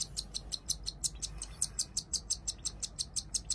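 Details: Hand-fed cockatiel chicks, two siblings hatched the same day, giving an unbroken run of quick, sharp, high begging peeps, roughly three per second.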